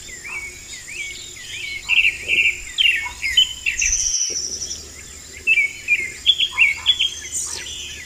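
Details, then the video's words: Vermilion flycatcher singing in the wild: busy, bright chirped and twittering notes in quick, uneven bursts, some brief rising slurs, with a steady high insect drone underneath throughout. "BURUNG KICAU"PAPA MOSCOS"(KICAU MANIA)Gacor di Alam liar"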